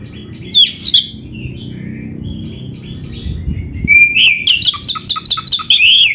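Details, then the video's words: Oriental magpie-robin singing prolifically with tightly packed fills: scratchy high notes at first, then a rising whistle leading into a fast series of bright, repeated whistled notes, with a low murmur underneath. "Kacer gacor full isian RAPET"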